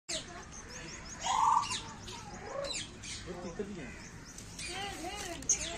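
An African grey parrot gives a run of varied whistles, squawky rising-and-falling notes and speech-like chatter, with a louder whistled note near the start.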